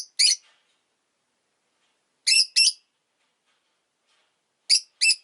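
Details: Rosy-faced lovebird at home, calling in short harsh high chirps, mostly paired, each pair about two seconds apart, with silence between.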